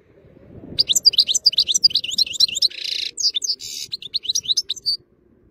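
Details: European goldfinch showing off its song in fine weather, a continuous fast stream of liquid twittering and tinkling chirps lasting about four seconds, with a couple of brief harsher buzzy notes midway.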